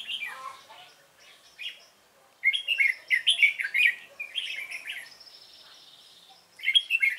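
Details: Decoy red-whiskered bulbul singing during a trapping session on 12 November 2017 to draw in wild rivals: bursts of quick, bright warbling phrases separated by quieter pauses, with a thin high whine in the background.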